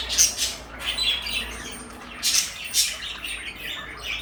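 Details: Caged pair of pet parakeets, blue and light yellow, giving a few short harsh squawks and sharp chips separated by quieter gaps, in a small indoor room.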